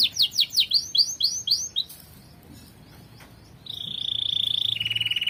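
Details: Canary singing a training song: a quick series of down-slurred whistles, a brief pause, then a long even trill that drops to a lower pitch.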